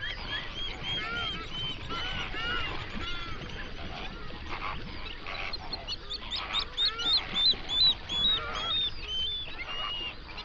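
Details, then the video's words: Large flock of flamingos, hundreds strong, on a lake in an Overberg region national park, South Africa, binaural recording: loud, goose-like honks with arched nasal tones, about two or three per second, rising in volume and overlapping. "Flamingo sounds"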